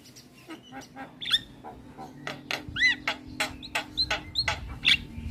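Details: Song of a Javan myna meant to stimulate a quiet bird to sing: a busy sequence of clicks, chattering notes and clear downward-curving whistles, growing denser toward the end.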